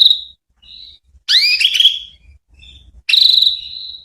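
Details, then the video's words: Female canary calling as a lure to draw answers from male canaries: a thin steady whistled note, a softer short whistle, then a loud cluster of rising, harmonic-rich notes and a final drawn-out buzzy whistle. "Pancingan suara burung kenari betina .. Semua burung kenari jantan pasti nyaut"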